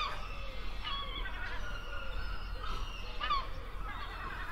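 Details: Gulls over the sea give harsh, nasal, honking calls in four or five short bursts, over a steady low rumble of wind and surf.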